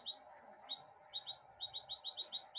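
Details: While eating broccoli held in a hand, a goldfinch hybrid in 2022 repeats sharp, high tweets at a brisk, fairly even pace, roughly five each second, with a faint background hum.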